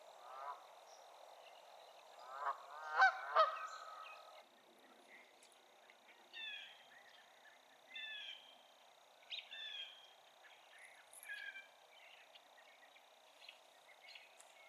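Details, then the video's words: A wild Canada Goose pair calling on a lily-pad perch in Massachusetts, USA, one spinning its head while calling: a burst of loud, harsh honks, then softer two-note honks every second or two over a steady high hiss. "Honks and Headbangs: Canada Goose's Strange Calling Technique"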